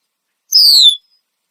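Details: A Red-winged Blackbird perched in a tree in Southern Ontario, Canada, gives repeated loud alarm calls, here a single thin, high, downward-sliding whistle of about half a second; an animal nearby is suspected of upsetting it.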